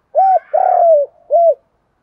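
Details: Spotted dove decoy calling, close and loud: a short arched coo, a longer sustained coo that slowly falls, then another short arched coo, all low and mellow.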